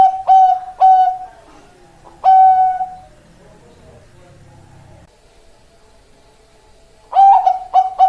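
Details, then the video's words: Bangkok-type male zebra dove giving clipped, ringing coo notes in short groups, one note held longer, then a long quiet stretch with faint low rumble before a final quick pair of coos. "PERKUTUT BANGKOK SUARA PEJANTAN"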